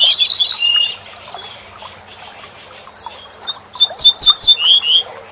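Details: Tutoring recording of a corn bunting: after quieter mixed chirping, a loud fast series of looping, clinking high notes ends in a brief bright tonal flourish; other small birds twitter faintly in the background.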